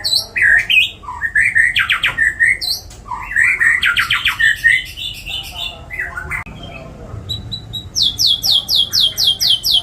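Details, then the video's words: White-rumped shama singing: loud varied phrases of whistles and harsh chattering bursts, with some notes repeated in rapid series, ending with a fast run of about nine descending high notes; faint room noise. "MURAI MATERI MEWAH ISIAN CILILIN NYAMBUNG JENGGOT NYAMBUNG KAPAS TEMBAK"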